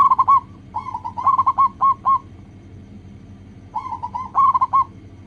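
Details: Zebra dove song from a local bird, played to coax other doves into singing: loud rolling phrases of staccato coos with hooked endings, a quieter pause midway, then a further run, over low background rumble.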